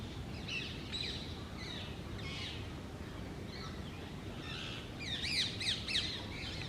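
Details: Pair of wild Indian ringneck green parakeets at their nest cavity in an old urban tree. Faint scratchy calls throughout, then a louder cluster of three sharp screeches near the end, over steady background noise.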